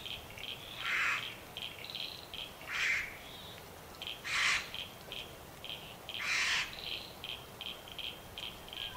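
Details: Satin bowerbird displaying at its bower in a country garden in Victoria, Australia, on 25 July 2024: loud, harsh, broadband buzzing bursts about every two seconds, over a steady run of faint, high, ticking notes.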